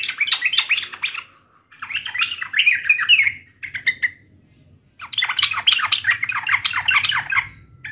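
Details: Sooty-headed bulbul singing in fighting mode, dense excited chattering with fast up-and-down notes in three bursts, the middle one ending in a brief clear call.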